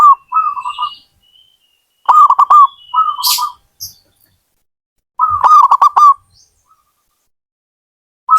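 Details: Zebra dove (perkutut) from a hobbyist keeper, repeating staccato cooing phrases about every three seconds, joined by smoother trilled coos and a thin, high whistle from another bird, plus brief hisses.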